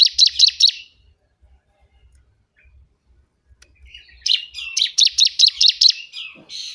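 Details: A loud bar-winged prinia, its song used to tutor cage birds or lure wild ones, gives a quick series of high chips, falls silent, then delivers a longer rapid buzzy chipping run.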